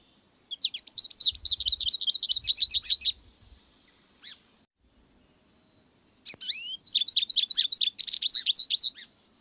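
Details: American goldfinch singing two bursts of rapid, high, twittering notes, each run of sweet chirps lasting about two seconds with a short pause between, plus a few faint low thumps in the background.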